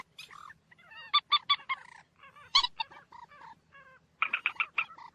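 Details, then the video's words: Moorhen giving calls: clusters of brief, honking, nasal notes in rapid groups of three or four, separated by short gaps, with softer sliding notes between. "ডুংখোর পাখির ডাক। Moorhen birds shound"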